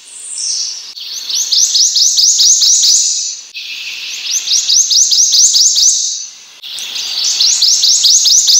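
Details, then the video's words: Prothonotary warbler singing three bursts of about seven bright, ringing upslurred notes each, given quickly and evenly with brief pauses between phrases. "Prothonotary Warbler Song."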